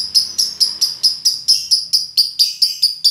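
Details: Lovebird giving the long, minor-key chattering 'ngekek' song, a lure recording for training. The song is a fast, steady series of high, sharp chirps, about four or five each second, with no other sounds.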